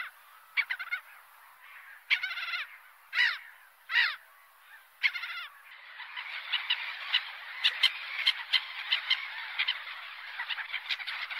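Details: Several loud, harsh seagull cries with stacked harmonics stand out at first, then merge into a dense, continuous chatter of many gulls calling over one another.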